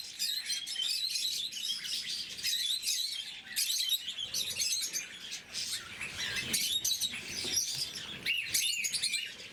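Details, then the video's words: During morning feeding, a group of blue-mutation pet lovebirds chatter nonstop with shrill, squeaky chirps and quick repeated tweets, many voices overlapping. "Попуги неразлучники, утреннее кормление. Голубая мутация"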